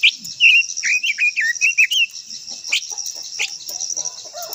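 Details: Japanese white-eye, known locally as quế lâm, singing a long-voiced song meant to stir other birds to sing: a quick run of high, twittering, rising-and-falling notes over two seconds, then quiet, with a steady shrill insect-like drone behind.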